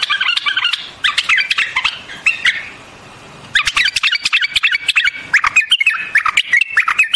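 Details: White-eared bulbul, also called white-cheeked or Iranian bulbul, singing bubbly warbled phrases in bursts, a pause near the middle, then faster chattering notes, with sharp clicking taps throughout.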